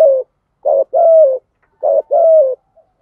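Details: Spotted dove giving coos used to train decoy birds; two phrases, each a brief low note followed by a longer, slightly falling hoarse coo, clear and close with silence around.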